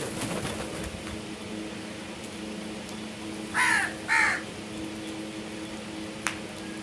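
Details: Crow uttering two quick hoarse caws in the middle of a quiet stretch with low background hum and a sharp click near the end.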